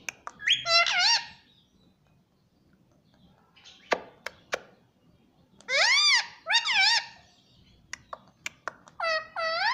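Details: Pet Indian ringneck parrot mimicking the words mummy and papa: three bursts of rising, harmonic, speech-like syllables spaced several seconds apart, with sharp clicks and taps in a small indoor room.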